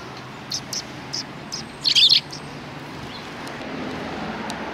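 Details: Sparrows behind a civic cultural hall on 17 January 2020: a few faint, scattered high chirps, then a brief burst of overlapping twittering notes near the middle, with quiet outdoor background.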